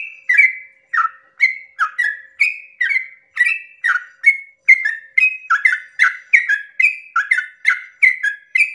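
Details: Dawn 'ropel panjang' song of a sooty-headed bulbul, played to spur other bulbuls to sing: unbroken stream of whistled phrases, rasping entries slurring into clear tones, quickening toward the end.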